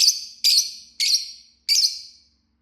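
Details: Green Fisher lovebird chirping: four loud, rasping high chirps, each drawn out with a fading tail, roughly every 0.6 seconds.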